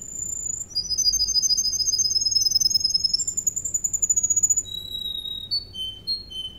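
A canary sings a bright, high run of rapid rolling trills, shifting every second or two to new pitches and tempos, then slower piping notes.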